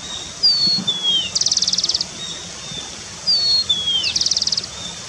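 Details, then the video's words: Starling heard in wild forest repeating one phrase twice: a level whistle, a falling slurred whistle, then a fast buzzy rattle of about a dozen pulses. "Burung cucak keling akhir nya bersuara juga"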